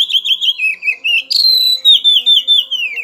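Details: Oriental magpie-robin worked up and looking for a rival delivers fast rolling whistles, then a sudden high note sliding into a long, gradually falling chain of warbled pulses; faint low hum in the background.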